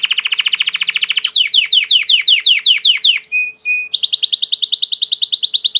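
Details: Belgian canary, a domestic canary, delivering a fast trill, then a string of repeated downslurred notes, two short flat whistles, and a high rapid rolling trill.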